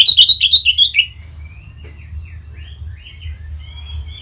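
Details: Orange-headed thrush singing to encourage other birds: a second of fast, rich chirping phrases, then soft faint whistled notes drifting on over a steady low hum.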